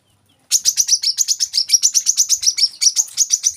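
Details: After half a second of silence, an olive-backed sunbird launches into a fast, even series of piercing high chirps, roughly four or five per second, continuing without a break.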